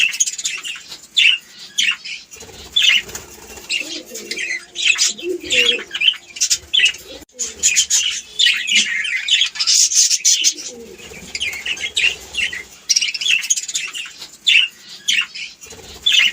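Budgerigars chattering together, a dense stream of high, scratchy chirps and warbles.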